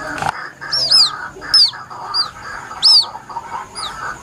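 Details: Plaintive calls of a White-breasted waterhen chick, recorded as a hunting lure: high, sharp arched chirps, each rising then falling, given in pairs or singly about every second, over a steady busy chatter of background sound.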